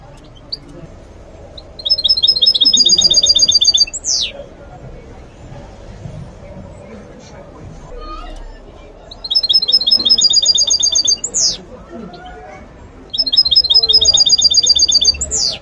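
A goldfinch mule sings in bright, high bursts of rapid trills, each ending in a slurred downward note.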